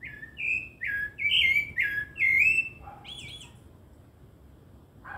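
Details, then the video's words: Song of a rufous-bellied thrush: a run of five warbled, whistled phrases that alternate between higher and lower pitch. A softer, lower note and a brief high trill follow before quiet. "CANTO GOSTOSO DO SABIÁ LARANJEIRA"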